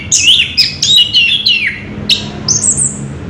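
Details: Orange-headed thrush in rolling ngerol song: a quick tumble of whistled notes sliding downward, a short pause, then a long thin very high whistle drawn out to the end.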